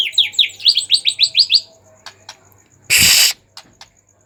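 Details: Agitated white-rumped shama singing to stir other shamas into song: a quick run of about nine sharp rising whistled notes in under two seconds, then a short harsh rasping burst.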